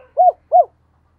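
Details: Decoy spotted dove giving two short, evenly spaced, arched low coos in quiet surroundings.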